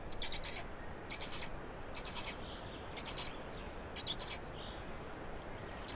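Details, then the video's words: Estonian black storks at feeding time, midday on 16 May 2019: repeated hoarse, hissy bursts about once per second, some doubled, with faint soft tones between them and constant background hiss. "Estonian Black Storks - Feeding"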